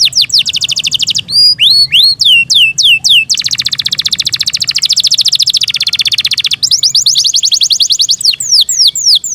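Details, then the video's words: Canary of the Yorkshire breed, kept at home, sings fast falling chirps, a run of swooping notes, then a long buzzy rolling trill and more rapid sweeping phrases. "Yorkshire canary Nice sound"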